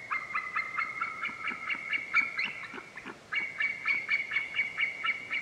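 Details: White-tailed eagle calling in rapid, barking yelps with a ringing overtone, a long unbroken string that pauses briefly midway and then resumes at the same quick, even pace.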